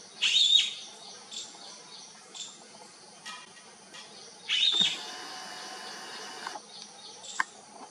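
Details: Two loud, grating, trilled calls from bee-eaters searching for their flock, about four seconds apart, with faint chirps and a few clicks in between.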